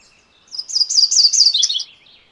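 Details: MacGillivray's warbler (Geothlypis tolmiei) singing a single short song of about 1.3 seconds: a run of high, bright, rapidly repeated chirping notes that slurs slightly downward at the end, heard clearly against quiet surroundings.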